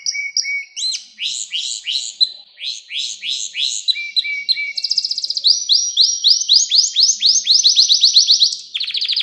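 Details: Canary song recorded to teach young birds: short whistled notes, rising sweeps, then a long fast run of upward-sweeping notes ending in a buzzy trill.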